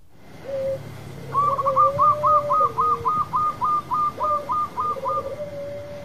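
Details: A local zebra dove in full, loud song gives soft drawn-out coos, then a quick, even run of about fifteen short hooting notes, roughly three or four a second, over a low hum.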